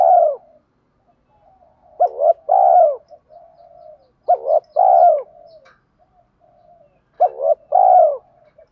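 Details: Spotted doves calling, male and female, for stimulating birds in training; a tail of a coo, then three phrases of two quick notes and a long falling coo, about every two and a half seconds.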